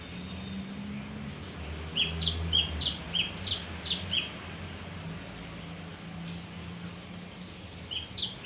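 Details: Male leafbird singing to lure other birds: a run of about seven short bright chirps in quick succession, then a pause and two more notes, over a low background hum.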